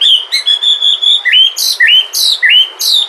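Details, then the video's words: Wild-type Sumatran white-rumped shama singing as a lure for other shamas: a sustained high whistled note, then a run of loud upward-hooked whistles with sharp high overtones, repeated roughly every half second. "Pancingan suara murai batu asli sumatra, suara asli alam."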